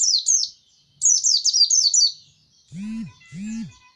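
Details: Seasoned white-eye giving quick, high, down-slurred chirps in two short bursts, followed by two lower, rounded, harmonic sounds of another kind near the end.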